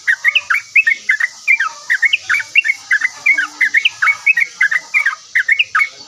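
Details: Yellow-vented bulbul chattering loudly and answering without pause: a busy sequence of liquid, up-and-down whistled notes in quick pairs, over a faint background hiss.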